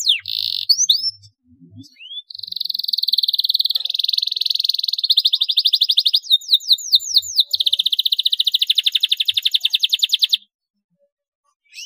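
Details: Lively singing canary used as a lure recording to stimulate other canaries to sing: a few whistled upslurs, then long rapid buzzy trills, a run of fast sweeping notes, and another rolling trill ending after ten seconds.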